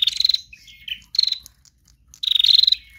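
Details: Trotol-style song of a female bar-winged prinia used to draw other birds: three harsh, fast-pulsed buzzy bursts with brief thin whistles between them, clear and close.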